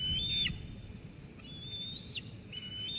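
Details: Eaglet at Sauces Canyon on 13 June 2021 squeeing at its mother after a food drop. Faint, thin whistled notes, one falling at the end, separated by gaps, over low background rumble.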